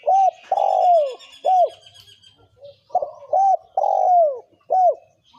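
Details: Male and female spotted doves in thổ kim cooing, used to lure wild doves: two loud phrases, each a clipped coo, a long descending coo and a hooked note, with a steady high twittering behind the first.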